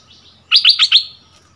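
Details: Bulbul, a decoy bird taken back to its old territory, dueling in double song with a new resident territory holder: a quick run of four loud, bright chirped notes lasting about half a second.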